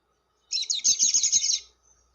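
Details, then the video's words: Lovebird calling for luring other lovebirds: one continuous high, buzzy, rapidly pulsed chatter lasting about a second, harsh and rattling throughout. "SUARA PIKAT BURUNG LOVEBIRD"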